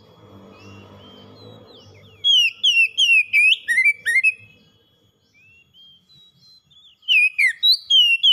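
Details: Kept oriental magpie-robin singing gacor as a lure for a bird gone quiet: low mechanical rumble for two seconds, then bursts of rapid, sharp whistled notes sliding up and down, a quieter pause, and another energetic burst.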